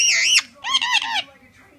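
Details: Blue male Indian Ringneck kept as a pet, chatting to a mirror; a loud harmonic squawk followed by a run of rapid warbling, speech-like syllables, then quiet.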